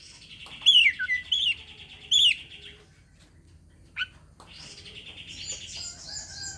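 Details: Oriental magpie-robin issuing a challenge to a rival: three loud whistled notes with downward twists over a buzzy trill, a pause, a short sharp note, then a renewed long rattling buzz rising into higher chatter.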